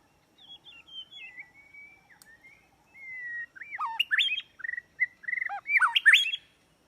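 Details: White-rumped shama song used as a trapping lure: a clear, varied phrase that opens with high descending whistles and a long even note, then turns into loud, rapid, slurred and looping notes with sharp accents near the end.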